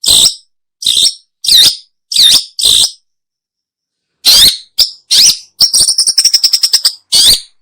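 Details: Long-tailed shrike, recorded for luring birds: five loud rasping squawks at even intervals, a pause, then harsh notes and a rapid trill-like series of high clicks.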